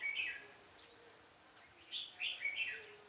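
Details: Red-whiskered bulbul at a trapping site on 13 March 2017, where decoys are used in singing duels. One clear warbled phrase is followed after a pause by a cluster of quick whistled notes over a faint steady high tone.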